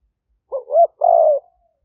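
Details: Spotted dove used as a decoy to lure wild doves, recorded live by smartphone in Roi Et province, Thailand, in 2021: a short two-part wavering coo followed by one long, level, slightly falling coo.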